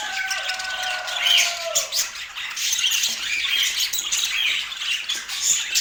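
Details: Budgerigars heard in Portland, an unbroken stream of high, scratchy twitters and chirps. A lower drawn-out tone runs beneath for the first two seconds, then only the birds' chatter remains.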